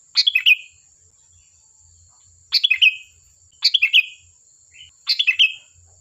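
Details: A chatty sooty-headed bulbul, singing to lure other birds into responding, delivers four short bubbly phrases of stacked descending notes, each ending in a brief slurred whistle, against a steady faint electronic whine.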